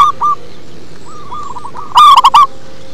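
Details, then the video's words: Local zebra dove with a deep bass voice: soft clipped coos lead into a gentle run, then a sudden loud, rapid cluster of rolling notes, over low background hum. "Perkutut lokal manggung ngebas"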